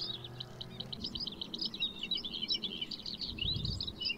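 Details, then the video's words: White-spotted bluethroat, a summer migrant of marshes and fallow land, sings a fast, continuous stream of varied high chirps, trills and buzzy notes with fluted tones, over a faint low background rumble. "La Gorgebleue à miroir blanc"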